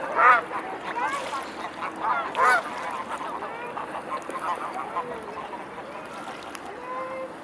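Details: A swarm of mute swans at Blaues Wunder, 22 May 2016, 19:25. Several rasping, nasal honks cluster in the first three seconds. Later come quieter drawn-out calls from other swans, over a steady murmur.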